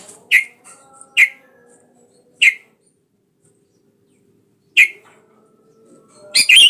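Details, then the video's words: Sooty-headed bulbul calling a rival to provoke it into song; single sharp bright notes spaced irregularly, a long pause, then a louder harsh double note at the end. "Suara burung kutilang gacor memanggil lawan pancingan kutilang biar bunyi"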